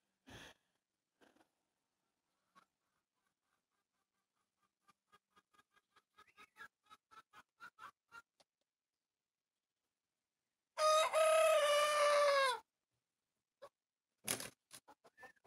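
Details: A young rooster in a Siberian backyard flock, learning to crow for only a few days, gives a short, strained crow, a harsh buzzy note that sags in pitch toward its end; owner notes it seems healthy.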